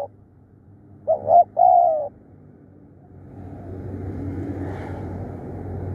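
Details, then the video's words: Decoy spotted dove, a fierce and persistent caller, gives one low phrase of two brief coos and a longer drawn coo. A vehicle's rumble then swells and fills the rest of the recording. "เสียงต่อนกเขาใหญ่ ดุดัน ขยันเรียก"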